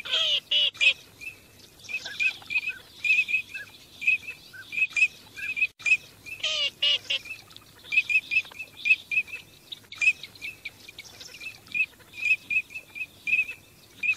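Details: On migration, teal produce a long, dense run of high whistled pips, sometimes in pairs, with occasional harsher nasal calls in the first seconds.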